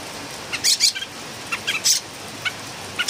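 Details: Philippine bulbul, called a noisy singer, giving short scratchy bursts in small uneven clusters, fairly quiet over a steady background hiss.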